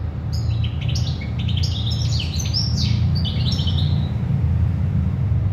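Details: A European goldfinch sings a dense run of quick, liquid, jangling notes lasting most of the clip, above a constant deep droning hum.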